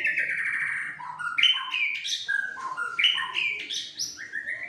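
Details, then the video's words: White-rumped shama, a fighter bird under a mental test, agitated and in strong voice, giving a continuous flow of varied whistles that drop and leap, with quick high accents between fuller notes. "tes mintal murai batu fighter gacor dan emosi"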